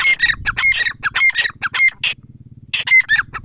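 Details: Grey francolin giving loud, harsh, rapidly repeated ringing notes, each with a brief whistled accent. The series breaks off after two seconds, then resumes, over a low background hum.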